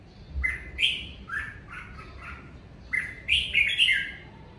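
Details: Natural home song of a red-whiskered bulbul in the covid season: two loud bursts of quick, bright warbled whistles, rising and falling, separated by a short pause.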